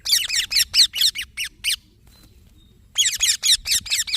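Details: Green baby parrot giving loud, rapid raspy chirps, harsh high notes repeated about twice a second in two bursts separated by a silent pause, with faint low background rumble.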